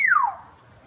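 A butcherbird gives a single clear, fluted whistle that slides smoothly downward and fades quickly into quiet background.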